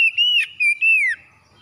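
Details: Morning oriental magpie-robin song for rousing reluctant captive singers: a sustained pure whistle wavering gently, broken into three linked segments and ending in a downward slur, with nothing else audible.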